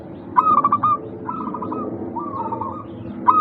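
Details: Local zebra dove singing, played to coax reluctant caged doves into song: one loud run of quick pulsed coos, then two softer wavering cooing phrases from a more distant bird, and the next loud phrase starting at the end.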